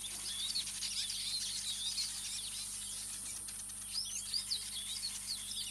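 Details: Speke's weavers, which nest in colonies mostly in acacia trees, at Ol Pejeta while weaving their nests: several birds overlap in a busy, scratchy chatter of high twittering and wheezy notes with a steady low hum behind.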